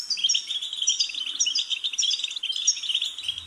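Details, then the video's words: A goldfinch pours out a continuous stream of high, jingling twitters and quick warbled notes, densely packed and irregular, with a faint low hum at the very end. "Goldfinch's Singing"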